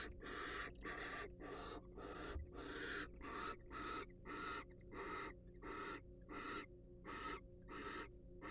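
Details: Wild barn owl in a research-monitored nest box, hissing steadily: harsh, broadband, breathy rasps of about half a second, repeated roughly twice a second in a long, fairly even series.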